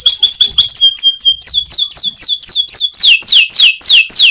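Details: Canary (Serinus canaria) singing a fast, whipping "mecut" song said to make other canaries answer. Rapid high whistled notes repeat about four per second, shifting into loud descending sweeps.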